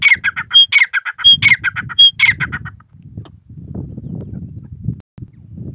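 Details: A pet grey partridge (Perdix perdix) gives harsh, grating chatters in quick bursts with a few thin whistles, followed by low rumbling background noise.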